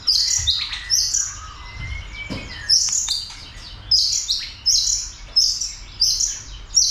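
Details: White-rumped shama stimulated to sing and fight, tail-flicking; bright whistled phrases high in pitch repeated roughly every second, with a short rising whistle midway and a few sharp clicks.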